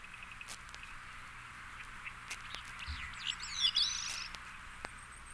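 A Veery gives one brief, breezy, downward-spiraling phrase, high and wavering, over a steady background hiss with a few faint clicks.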